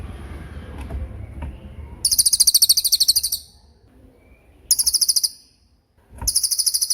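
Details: Cililin in 'tembakan' rapid-fire song, a training recording used to teach magpie robins and other songbirds; three bursts of very high, piercing, machine-gun-like repeated notes, each about one second long, separated by short pauses over faint background hum.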